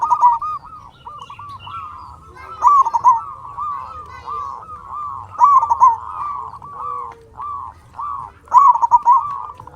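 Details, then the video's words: Lure recording of local zebra doves singing, intended to stir other doves to reply. Rapid, repeated cooing notes run without pause, and louder rippling coo phrases rise out of the chorus about every three seconds. "Perkutut Lokal Gacor RAJA PIKAT Ahlinya Bikin Semua Burung Perkutut Gacor Nyaut"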